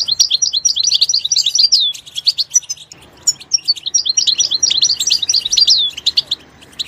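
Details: Goldfinch song from its natural habitat, rippling runs of liquid twitters and downslurred whistles, briefly softer in the middle before the rapid warbling returns.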